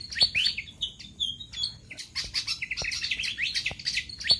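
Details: Lure sound of pied fantail for drawing in wild birds: a couple of clear high whistled notes, then a hurried jumble of squeaky, slurred chirps packed closely together, with scattered soft clicks.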